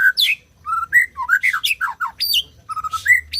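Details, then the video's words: White-rumped shama song, played to prompt silent birds into singing: a lively run of varied whistled notes, some sliding up and some dropping, mixed with short harsh squeaky bursts. "SUARA MURAI BATU BUAT BURUNG MACET BUNYI"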